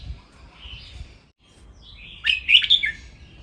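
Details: Red-whiskered bulbul kept as a cage bird, in playful training song: a quiet warbling note, a short pause, then one loud, rich, jumbled chirping phrase.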